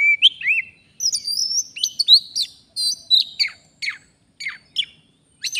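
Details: Wild Oriental magpie-robin recorded during a bird-trapping outing, singing vigorously: a rich run of clear whistled notes, slurred upward and downward phrases and sharp chips packed into quick bursts with short pauses.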